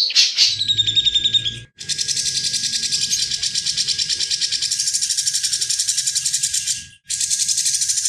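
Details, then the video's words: A grey-cheeked bulbul pours out a long, fast, buzzy chattering trill, high-pitched and nearly unbroken apart from two brief pauses, with a faint steady tone underneath. This is a long training recording for other songbirds. "Cucak Jenggot Gacor Ngebren dan Jernih"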